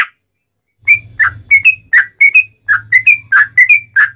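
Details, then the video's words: Sooty-headed bulbul tutor song, sung in a cucak rowo-like style to spur other bulbuls into singing; spaced, clear whistled notes in pairs and short groups, some rising and some dipping, over a faint low hum. "Kicau Trucuk Buka Paruh Langsung Nguplik Nyambung Ngalas Ropelan Nyaring cucak Rowo'an"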